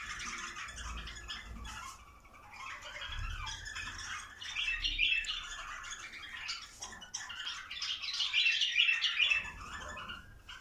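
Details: Bulbul chorus aimed at prompting mating: irregular chattering and squawky notes build toward the end, over low rumbling background noise and a few brief thumps.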